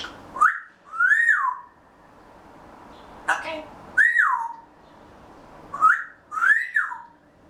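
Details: Pet grey parrot talking softly to itself before a daytime nap, indoors, waiting for summer. Repeated arched whistles rise and then fall, each with a brief click or breathy note before it, in groups every couple of seconds.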